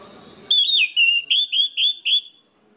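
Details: Song of an orange-headed thrush, used to set others of its kind singing: six ringing, slurred whistles, first one longer and wavering, the rest short and evenly spaced, ending in quiet.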